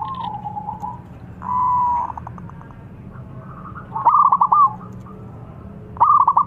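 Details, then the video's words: Local zebra dove (perkutut) singing a lure song used to attract wild birds for trapping: low, trilled, stuttering coos with soft clicks, about four phrases in quick succession, over a faint low hum. "PERKUTUT LOKAL GACOR PANCINGAN JITU SI RAJA PIKAT ALAM"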